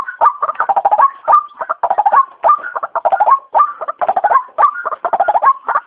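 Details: White-breasted waterhen sound played as a trapping lure: bursts of rapid rattling chatter alternating with single drawn-out croaks, irregular and busy throughout.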